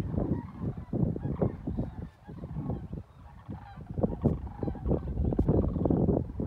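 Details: A flock of geese flying over Avon, Indiana, on February 3, 2020, a mild 59-degree day during a walk: a series of nasal honks in uneven bursts, several per second, over heavy low rumbling wind and handling noise.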